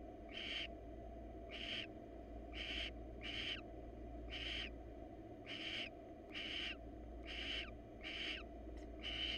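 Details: Wild female barn owl inviting a male to mate, who is not interested; breathy, broadband screeching hisses repeated about once a second, slightly irregular, over a low hum.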